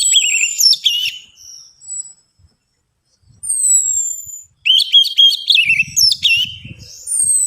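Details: Orange-headed thrush song used as a lure to prompt reluctant birds to sing: rich warbled phrases with rapid trills and sliding whistles, alternating with thin high descending whistles, separated by short pauses; soft low thumps near the end.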